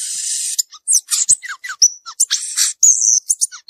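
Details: Free-living violaceous euphonia delivering a hurried song: a long high buzzy note opens, followed by quick descending chips, short pure whistles and more harsh, high buzzes in a busy sequence.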